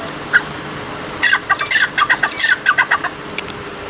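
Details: Partridge calling, a series of short harsh squawking notes in a rapid irregular burst lasting about two seconds, preceded by a single note, with faint steady background hum.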